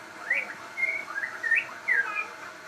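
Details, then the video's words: Crossbred shama singing: a varied string of rising and falling whistled notes, some with sharp upward flicks, delivered in quick succession against a faint background hiss. "burung murai gacor hasil kawin silang"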